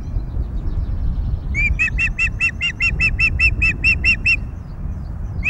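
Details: Osprey at a nest at Loch of the Lowes, Scotland, on 22 May 2021, during feedings after the third chick hatched: a run of about a dozen sharp, evenly spaced whistled chirps, over a low rumbling background.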